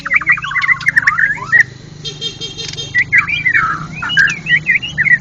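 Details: National champion white-rumped shama singing ngeplong gacor at a contest: rapid stuttered whistles and slurred phrases, broken by a second of pulsing electronic-sounding tone, then renewed lively whistling.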